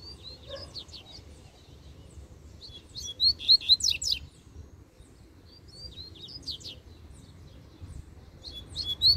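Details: Double-collared seedeater, a loose bird trying to reach a caged rival, gives short high twittering phrases in bursts roughly every three seconds, with quiet low rumbling background noise between them.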